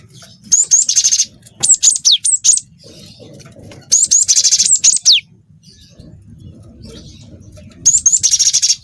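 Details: Cinereous tit pouring out canary-style song: long buzzy trills combined with high falling whistles in three loud bursts, with quieter gaps holding soft low background noise.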